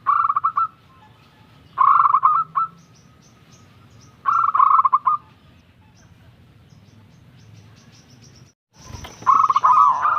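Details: Young local zebra dove singing actively: three short bursts of rapid, stuttering, trilled coos, each under a second and spaced about two seconds apart. A quiet pause and an abrupt break come before a final burst.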